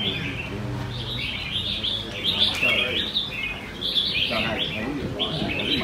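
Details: At a bird-singing contest in Quy Nhơn, Vietnam, held on the morning of 21 June 2020, red-whiskered bulbuls pour out overlapping high warbled and whistled phrases in bursts, with soft human voices in the background.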